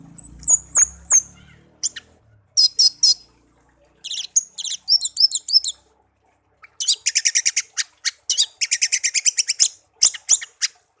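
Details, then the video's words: Pet songbird raised from a chick and kept a year, singing varied bursts: paired high notes, quick chattering phrases and long fast rattling trills, with brief low noise at the start. "burung kicau peliharaan"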